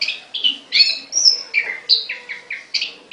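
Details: Songbird in a cage giving a fast series of clear, slurred whistled notes, about three each second, alternating higher and lower pitches in a bouncy pattern.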